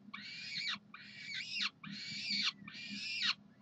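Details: Peregrine falcon at the University of Calgary, Saturday morning, 9 June 2012, calling for food: four harsh, raspy, drawn-out wailing screams in steady succession, with a faint low hum underneath.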